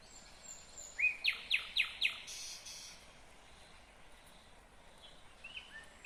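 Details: Nightingale singing in Kyrgyzstan, 2020: a short rising whistle, then five loud, evenly spaced, harsh strokes in a quick run, followed by quieter scattered whistled notes over a soft outdoor hiss.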